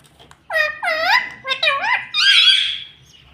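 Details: Pet talking parrot indoors in a small room, producing four or five speech-like syllables with bending, harmonic-rich tones. The last syllable is a higher, drawn-out squeal. The background is quiet.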